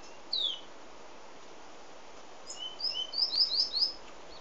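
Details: A pet white-collared seedeater (Sporophila torqueola), recorded from inside the house, sings a single high slurred note. After a pause comes a quick run of sweet, high, down-slurred whistles and chips, over a soft background hiss.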